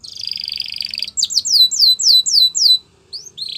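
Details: Belgian canary training song opening with a buzzy, sustained rolling tone. It then turns to a series of loud, clear, down-slurred whistles, each about a quarter second long, before a brief pause and a final note.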